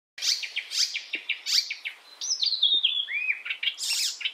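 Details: Icterine warbler song used as a training recording for songbirds, a European bird: a varied, fast medley of harsh chattering notes, clear whistled slurs and downward sweeps, repeated phrases tumbling without pause.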